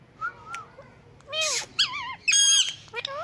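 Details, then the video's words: Pet Indian ringneck parakeet talking and mimicking a cat's meow: a few rising and falling whistled, wavering meow-like notes with harsh high squawky bursts, quiet room. "Talking and dancing ringneck// Talking Parrot Talking So Many Words//ye parrot buht kuch bolta he"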